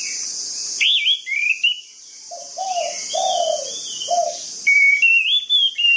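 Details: An orange-headed thrush sings a varied run of clear, slurred whistles, some high and rising, others lower and mellow, over a steady high insect hiss; used as a lure to prompt silent thrushes.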